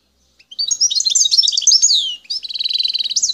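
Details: Algerian wild goldfinch recorded near El Tarf, giving a high jumbled twittering phrase followed by an even, buzzy trill of rapidly repeated notes, clean with no background noise.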